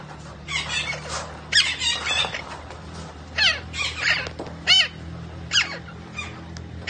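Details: Green parrot reported as talking makes a string of scattered chirps, squeaks and short downward-sliding squawks at uneven intervals, over a steady low hum.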